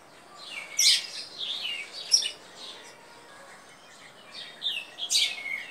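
A sparrow chirps in quick bursts of high, bright notes, with short runs of twittering and brief pauses between them, over a soft background hiss.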